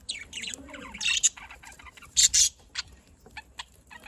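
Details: Budgerigars in Larkana, Sindh, during the afternoon, chirping sharply in quick clusters, some notes buzzy and rasping, with short quiet gaps between the bursts.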